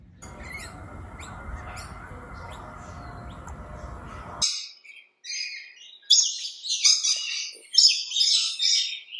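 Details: Rainbow lorikeets in a backyard: after four seconds of steady low rumbling noise, harsh, buzzy screeches burst out in short irregular bursts, growing louder and denser toward the end.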